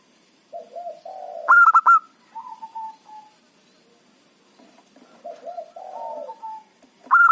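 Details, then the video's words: Local zebra dove used to lure wild birds: low, burbling coos rise into a loud, clipped, stuttered run of high notes, then a soft drawn coo. A second low, rolling phrase begins the cycle again. "perkutut lokal gacor pancingan ampuh suara keras kecil cocok untuk pikat lawan"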